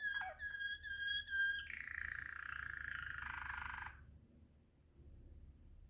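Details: Waterslager canary gives a few loud ringing whistled notes, then a soft rolling trill that runs for about two seconds before falling silent.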